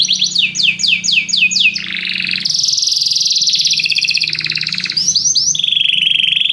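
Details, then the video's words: Many canaries singing together after hearing music: quick descending whistled sweeps, then an extended rolling high trill and a steady warbling tone, with a faint low hum beneath. "muitos canários cantam junto depois de ouvir essa música"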